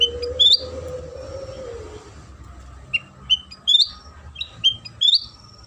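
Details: Sooty-headed bulbul song played as a lure to make other bulbuls sing: sparse, high slurred chirps and rising whistles, spaced irregularly, with a soft hum underneath.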